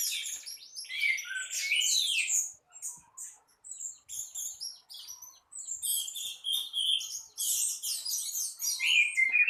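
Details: Orange-headed thrush singing in the morning. Thin high chirps and whistles come in rapid clusters separated by brief gaps, with a louder, richer warbled passage near the end.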